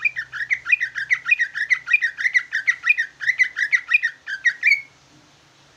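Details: Big ci ijo, a greater green leafbird, delivering trucukan-flavoured song: a long, steady stream of about twenty rough, chattering double notes at a quick, even pace, ending in a rising squeal.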